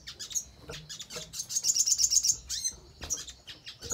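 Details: Crimson sunbird song for coaxing other birds into responding and singing: high, tinkling chirps that build into a quick glittering trill around the middle, then sparse sharp notes.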